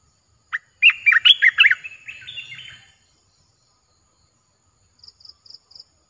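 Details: A captive olive-winged bulbul, recorded 29 June 2021, sings a lively run of liquid chirps that trails off into softer chatter. Four faint high notes follow after a pause.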